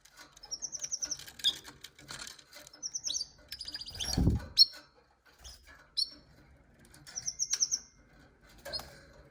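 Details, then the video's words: Canary alternating short, high pulsed trills and sharp chirps, with a loud rustling thump midway through. "Canary Canari Kanarienvögel"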